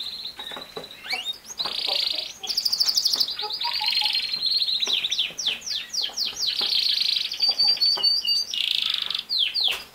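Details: Recorded canary song used to teach a young male canary, separated from its parents into its own cage, to sing: long continuous run of rolling trills, rapid chattering tours and sliding whistled notes.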